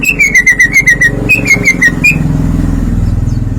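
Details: Greater green leafbird singing 'ngeplong', showing off its repertoire: a rapid series of pure, downward-slurred whistles in two bursts, then fading, over a steady low rumble of passing vehicles.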